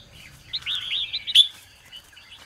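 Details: Red-whiskered bulbul morning song, used to stimulate and train other bulbuls to sing: a brief run of bright whistled and slurred notes, ending in a sharp louder note over quiet low background noise.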